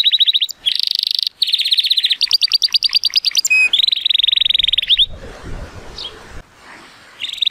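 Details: Timbrado Español canary, a male born in 2018 and rated 83 points, singing powerfully on a sunny day: loud rapid trills and rolling tours of metallic notes, a clear pure whistle, then a brief pause before trilling resumes.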